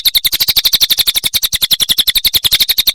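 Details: Cililin song used as a training recording for songbirds: a fast, steady series of sharp, high chirps, about seven to eight per second, bright and piercing, running without pause through the whole stretch.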